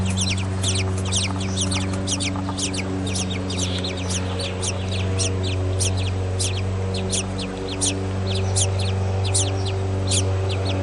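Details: Hungry tiny baby birds in a nest begging with dense, rapid high chirps in overlapping bursts, about four per second throughout, over a steady low droning hum.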